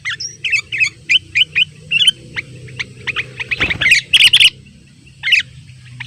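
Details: Wild sooty-headed bulbuls, several birds crowding around a simple trap, calling to rivals: a run of bright, evenly spaced chirps, then a short louder cluster of notes, a pause and one last chirp.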